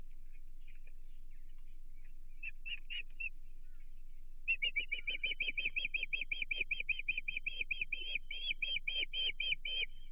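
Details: Osprey at its Chesapeake nest on 15 June 2023, reacting to an intruder: a few scattered shrill notes, then a fast, steady run of sharp whistled chirps lasting several seconds over a low constant hum.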